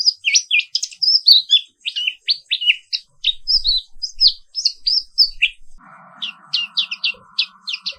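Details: Black-capped white-eye sings a non-stop morning roll: dense high warbled chirps and slurred whistles, briefly thinning near the middle, then clipped chirps over a steady mechanical hum.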